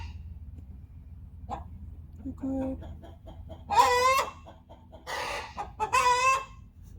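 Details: Backyard hens give loud, harsh, drawn-out cackles in bursts, rising into strained, overlapping squawks with softer clucks and a low hum, two hens calling to each other to announce one hen's completed egg-laying.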